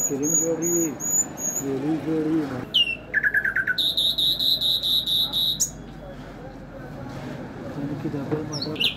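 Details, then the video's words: Nightingale song with high thin whistled notes, a descending buzzy run, then a long sustained high trill; low hum and other sounds between phrases. "Nightingale bird Singing|ہزار داستان بلبل|عندلیب بلبل"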